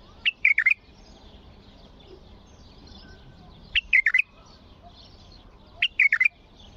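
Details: Singing bulbul whose forceful song is meant to set other bulbuls singing. Three identical bubbly phrases of a few whistled notes, each roughly two to three and a half seconds apart.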